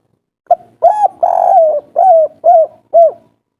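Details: Agitated spotted dove using the 'kuk 3' calling style, a local wild voice played to provoke other doves into replying. A brief opening note and a coo lead into a long quavering coo, then three descending hollow coos.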